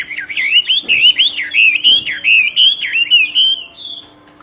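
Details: Vigorous song of a common hill myna: a continuous, loud, wavering whistled warble rising and dipping for about three and a half seconds, with two faint thuds.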